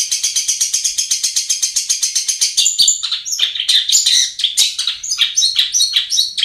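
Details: Lure song of a long-tailed shrike, meant to get lazy birds singing: a rapid, dry, rattling chatter for nearly three seconds, breaking into a jumble of varied squeaky and harsh phrases.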